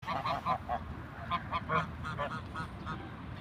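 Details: Ducks in nature giving a quick run of nasal, harmonic quacks, about four close together, a pause, then more bursts of calls, over a low rumbling background.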